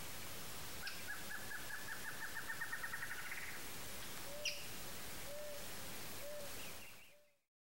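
Boat-billed flycatcher giving a harsh, rapid rattling trill that quickens and rises, then short low hooting notes about a second apart, over steady background hiss.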